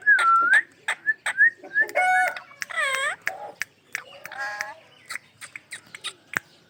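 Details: Pet ringneck parrot mixing a clear whistled dip, harsh wavering squawks and scratchy chatter, followed by a series of sharp clicks.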